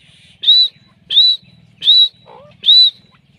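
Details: Calling female grey francolin (jangli teetar): four high, slightly rising whistled notes about 0.7 seconds apart, over a low buzzing hum, with a brief softer lower note near the end.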